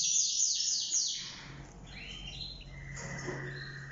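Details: Mosaic canary in yellow and orange, breeding pair with four eggs in the nest; a loud fast trill that fades into softer rising whistles and drawn-out high notes, with a low steady hum beneath.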